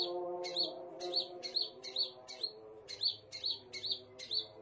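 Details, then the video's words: Scarlet minivet singing a rapid series of bright, clipped high notes, each starting with a rasp, repeated roughly twice a second above a soft low background hum. "KICAUAN BURUNG SEPAH RAJA"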